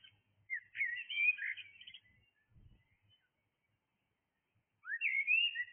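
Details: Blackbird singing in the early morning hours, two warbled, fluty phrases sliding between mid and high pitch, separated by a three-second pause, with faint low rumbles in the background.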